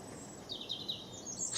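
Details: A faint European Robin song fragment, RSPB Fowlmere, Cambridgeshire, on a cold, crisp spring morning after frost, 10 April 2016. A few high, thin, quickly varying warbled notes last under a second over soft outdoor background noise.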